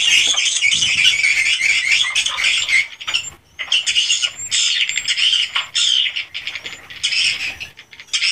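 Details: Inside a swiftlet house, a crowd of swiftlets gives loud squawky chirping bursts that overlap in long runs, broken by brief near-silent gaps around the middle before the twittering chorus resumes.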